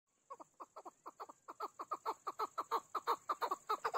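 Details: Chukar partridge calling: a rapid series of hoarse, clucking notes around one kilohertz, roughly three per second, building steadily louder, with a faint steady high hiss behind.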